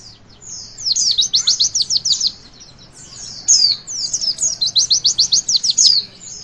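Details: Javan white-eye giving a witwit song meant to stimulate young birds to sing: high thin whistles, then two bursts of rapid, evenly spaced downslurred notes about a second long, separated by a brief pause. A low hum sits underneath.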